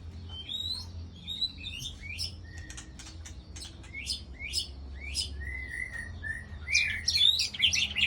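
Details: White-rumped shama used as a trapping lure at Ladong, Aceh Besar, Aceh: a series of sharp upward-sweeping whistles, some rising very high, then lower level notes and a burst of rich chattering phrases near the end, with a low background hum.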